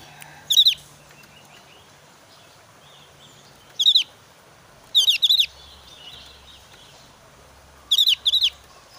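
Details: Javan grey-throated white-eye in breeding season, emotional and challenging an opponent: four short bursts of quick, high, squeaky notes at irregular intervals of one to three seconds, over quiet background noise.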